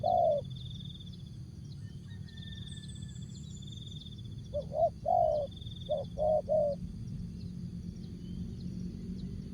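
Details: Tekukur or spotted dove from Asia in short 'jergot' song style: one soft coo, a pause, then a quick cluster of about six short mellow coos, with low background rumble and a thin high insect-like tone throughout.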